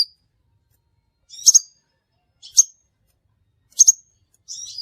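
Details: Crimson sunbird call used to lure birds for trapping: a few sharp, very high chips spaced about a second apart, ending with a brief buzzy note.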